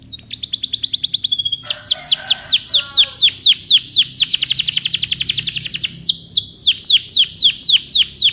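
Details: Canary song made of fast rolling trills of high, sharply descending notes, the phrase changing every second or two, with a short patch of lower, harsher notes near the start; loud, clear and close, with no other sounds.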